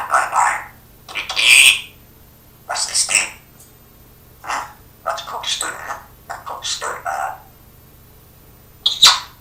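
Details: Pet parrot that talks and even coughs like its owner, producing a run of hoarse, word-like syllables and scratchy bursts in irregular groups over nine seconds, with short pauses between phrases.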